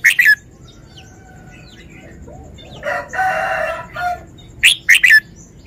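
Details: Red-whiskered bulbul showing off its song phrasing: a loud, quick three-note chirpy phrase opens the recording and returns near the end, while a rooster crows in the middle. Faint softer chirps sound in the background.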